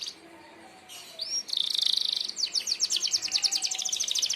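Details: Canary, merlok style, used as a sharp mastering song for training other birds: a high buzzy note, then a bright rising whistle, then fast rattling trills repeated about three times a second, all very high-pitched over faint background.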